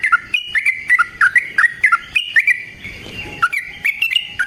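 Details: Trucukan, the yellow-vented bulbul, singing its long rapid song used as a lure and tutor for other birds: bright whistled slurs, some dipping low, repeated briskly, with a short pause midway before the run resumes.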